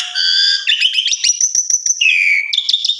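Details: Asian pied starling song recorded to train other starlings: a held whistled note, then rapid stuttering rising chirps and a long lower slurred whistle ending in sharp notes.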